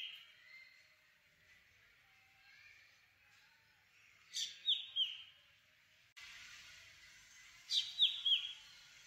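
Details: Black drongo, a faint soft phrase at first, then two clear bursts of three quick descending, slightly harsh notes about four seconds apart.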